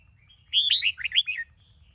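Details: A red-whiskered bulbul of the Sông Kôn type sings at morning for training. It gives one rich phrase of loud whistles that rise, then tumble into rapid falling slurs.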